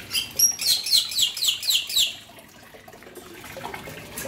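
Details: Bali myna, male and female, giving a run of bright, descending whistled notes repeated about four times a second for two seconds, then quieter scattered chirps over a background of running water.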